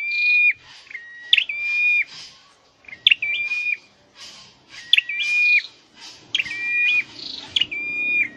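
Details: Caged scarlet-headed flowerpecker being trained to sing. It repeats bright whistled phrases that pair a high flicked note with a long, steady, pure tone. Six or seven phrases come at uneven intervals of about a second or more.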